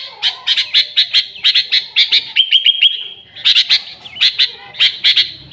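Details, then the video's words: Energetic Sooty-headed bulbul, recorded without other birds mixed in, used to attract bulbuls. Rapid runs of high chips are broken by a steady whistled note, then the chipping resumes. "Suara Burung Kutilang Gacor ASLI Tanpa isian, Ampuh untuk Pikat Kutilang bikin kutilang Ribut gacor"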